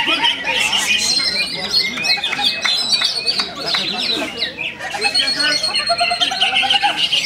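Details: Contest-singing greater green leafbird (cucak hijau) at a bird singing competition in Semarang, Indonesia, pouring out fast, scratchy warbles, squeaky chirps and sharp high whistles almost without pause; a crowd's chatter and other birds are heard behind.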